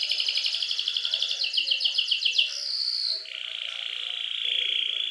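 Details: Canary lure song to encourage young canaries to sing: fast pulsed trill of sharp notes repeated rapidly, then a high sustained whistle and a long even buzzy roll.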